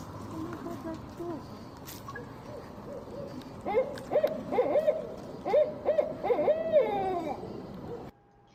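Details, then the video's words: Barred owls hooting and calling back and forth, part of behaviour watched for several minutes: a quick run of loud, rising-and-falling "who cooks for you" hoots, about seven in four seconds, over a low background hum. "Anybody ever hear a barred owl? I love their sound. Let's listen."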